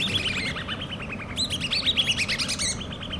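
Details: Hand-reared common babbler chicks calling: rapid series of short descending chirps around mid-high pitch, overlapping in a busy chatter with a brief louder burst midway, over faint low background hum.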